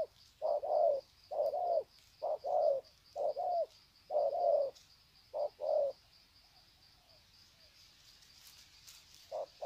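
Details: Wild spotted doves greeting one another at Sê San on 21 February 2020: a run of mellow paired coos repeated roughly every second, then the calling fades to quiet with a few faint notes and a last coo near the end.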